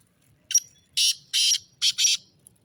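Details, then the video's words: Grating, buzzy call of a black francolin: one short note, then two drawn-out harsh bursts and a quick final double note, forming a single rhythmic phrase in a quiet setting. "Kala teeter awaz"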